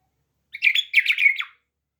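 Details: Bulbul kept as a pet bird sings a single rapid burst of bright, jumbled warbling notes that finishes with a brief falling slur. The surroundings are quiet.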